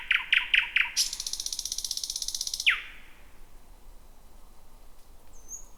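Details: Thrush nightingale at night in dense bushes, first song heard in 2026: a few piping notes, then a long rapid dry rattling trill, ending with a sharp downward whistle, followed by near silence.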